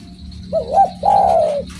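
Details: Spotted dove, called derkuku, in full song: two swooping short coos, then one prolonged low purring coo easing downward, with a faint high whine and low hum behind.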